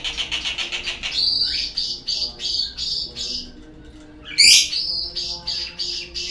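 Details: White-rumped shama lure song used to prompt birds to sing: rapid series of buzzy notes, then clear whistled phrases near 4k, a loud sharp upward note midway, over a steady low electrical hum.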